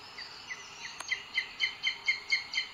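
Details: Booted eagle at its nest in Sierra de Guadarrama Natural Park, Spain, on 2 June 2022, with the male bringing food to the female. Filmed by a live nest camera. Sharp, high notes repeat about four times a second, growing louder after the first second.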